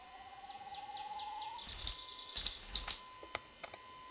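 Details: Male Siberian grouse (Falcipennis falcipennis) displaying in snow-covered spruce-fir taiga on a mountain plateau, Sikhote-Alin, Russia, mid-May 1996: thin falling high notes over a steady low whistle, then sharp scattered claps and snaps.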